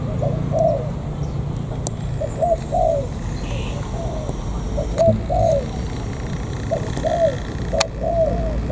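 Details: Soft, low coo phrases from a wild-caught spotted dove near An Giang's border gate, Vietnam, given in spaced groups of two or three notes, with occasional clicks and a low steady hum behind.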